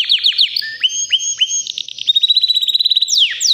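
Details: White canary about three years old, healthy and ready to breed, singing powerfully: rapid trills of repeated downward-sweeping notes, sustained high whistles and fast rattling tours, continuous and loud with no other sounds.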